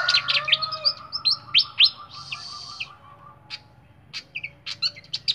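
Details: Caged flycatcher singing clearly: sharp high chirps and rising whistled notes, a buzzy rasping trill near the middle, then scattered quick tweets after a short pause.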